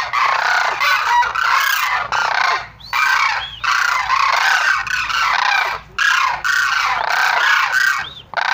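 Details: Sarus crane calling repeatedly in loud, raucous trumpeting phrases of one to two seconds, with short pauses between them.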